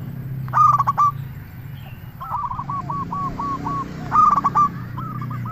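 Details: Zebra dove lure song: two loud, rapid, rough coo phrases about three and a half seconds apart, a softer run of even coos between them, over a steady low hum.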